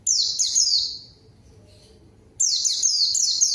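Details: White-eye (pleci) song used as a lure to call a rival and get silent birds singing: loud high chattering bursts of rapid descending notes, one burst at the start and another after a one-second pause.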